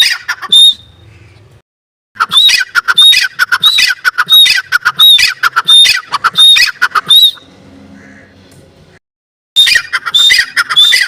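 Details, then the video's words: Teetar, a partridge, giving a long series of harsh raspy notes mixed with short whistled notes at a fast, irregular pace, broken by two pauses with faint background hum. "teetar ki boli teetar sound teetar voice teetar ki awaz teetar ki awaaz"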